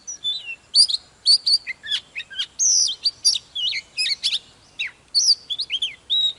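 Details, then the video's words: Fired-up white-rumped shama, a mature wild-caught bird, delivering fast and varied high song: crisp chips, looping whistled slurs and buzzy notes packed closely together, very loud and lively. "Chòe than Già rừng hót múa CỰC ĐỈNH || Chòe than Căng Lửa || Kích chòe than HÓT SÁNG"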